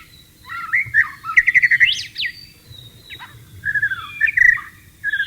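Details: White-rumped shama in breeding condition, singing in the wild: softer whistled phrases with a quick run of repeated notes, sharp rising sweeps, and a later rolling trill over low background hum.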